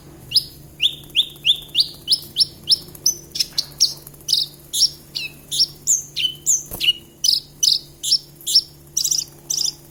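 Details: Javan bush lark in sustained song: a long train of sharp downslurred whistles repeated roughly twice a second, shifting into varied buzzy and trilled notes.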